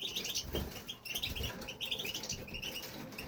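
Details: Male European goldfinch in a home aviary, singing steadily: rapid, tinkling twitter of short high notes, bright chirps run together without pause, over soft low rumbling background noise.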